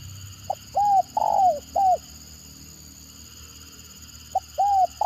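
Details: Stuttering 'gagap' calling of a spotted dove, used as a lure to get responses from other birds: one complete phrase of a brief pip, looping coo, drawn-out falling coo and final coo, then the next phrase begins; faint constant hum.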